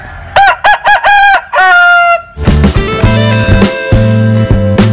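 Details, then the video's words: Unusual crow of a Linh Kê chicken: a burst of short clipped notes and a sustained tone, after which loud music with a steady beat takes over. "Tiếng Gáy Độc Lạ. Gà Linh Kê/ Strange Crow Sound"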